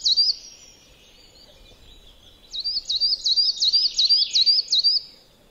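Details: Coal tit in a Finnish yard at Joroinen: a high, clear two-note phrase repeated seven times in quick succession, with a short opening phrase before a pause.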